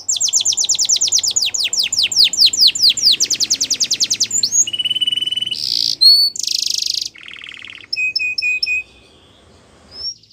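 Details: Yellow canary training song with a fast trill of descending sweeps, then varied phrases: a steady whistled tone, harsh buzzy bursts, a low churr and short repeated chip-like whistles.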